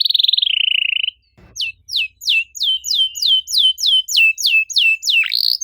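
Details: Canary 'cuit cuit' lure song for canaries that have stopped singing: a fast rattling trill, a short break with a thud, then evenly repeated sharp descending chirps about twice per second.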